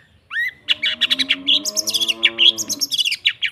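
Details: ['Long-tailed shrike, lure recording for a bird that has stopped singing: an upslurred whistle, then dense rapid high chattering notes over a lower buzzy, nasal layered tone.']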